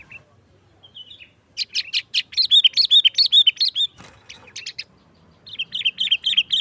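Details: A Sooty-headed bulbul sings in a loud "gacor" style used as a lure for trapping bulbuls. Rapid runs of bright chirpy notes repeat about twice per second, with a short pause and a brief click midway.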